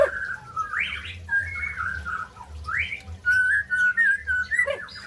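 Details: White-rumped shama song, used to stimulate silent birds to sing: rich whistled phrases, some sliding upward and some held level, broken by short pauses, then a quick run of clear notes, over a steady low hum.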